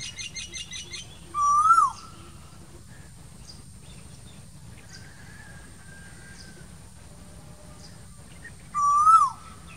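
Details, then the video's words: Asian koel in summer, in green trees: two loud, rising, whistled calls about seven seconds apart, with faint chirps from other birds in between and a low rumbling background. "Summer Koel Bird sounds, asian cuckoo bird singing voice, koyal sound uhd, new koyal ki awaz"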